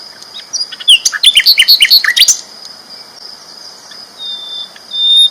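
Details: Loud, lively sikatan londo flycatcher song: a dense burst of about a dozen rapid sharp chirps and trilled notes lasting just over a second, followed by quiet with a steady high background tone.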